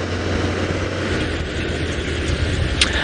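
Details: A steady low vehicle engine rumble fills the recording, with a brief knock near the end and no animal calls.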